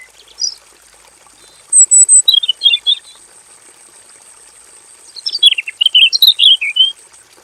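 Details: Male robin in a simple aviary sings two rich, rapid phrases of tumbling high twitters and whistles, about three seconds apart, the second phrase longer and descending.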